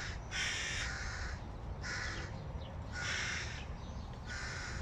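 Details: Hungry hooded crow chicks begging as they see their father arriving with food: three harsh, raspy, drawn-out caws, each about half a second long and spaced roughly a second apart, over a low steady background rumble.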